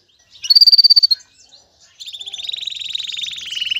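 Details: Courting male canary calls a female to stimulate mating. One loud, fast, even trill on a single high pitch is followed, after a brief gap, by a long rapid trill that slowly drops in pitch.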